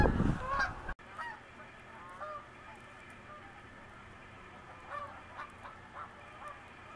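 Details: Snow geese resting on the St. Lawrence during spring migration north; a loud burst of honking opens, then scattered nasal honks from more distant birds sound every second or so over a steady background murmur.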